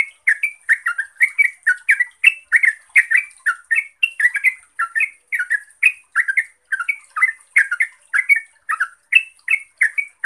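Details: A yellow-vented bulbul (Pycnonotus goiavier) pours out quick, bubbly, slurred notes in a steady chattering stream. The song is used as a lure to get silent bulbuls singing.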